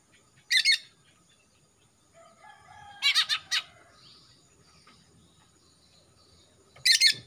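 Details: Greater green leafbird, a young Kalimantan male losing its juvenile speckling with a blackening throat, in full voice. Short, loud, raspy chattering bursts at the start, a cluster of three or four in the middle, and one at the end, separated by quiet gaps.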